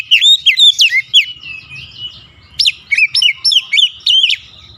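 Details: Lure and stimulating song of an Oriental magpie-robin, meant to make a stressed, silent bird start singing again: a fast run of bright whistled slurs, a quiet gap, then another burst of sharp repeated notes.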